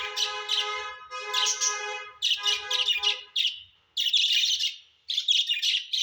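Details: Pet budgies at home give loud, nasal, ringing notes in quick runs, followed by dense scratchy chattering bursts with short gaps.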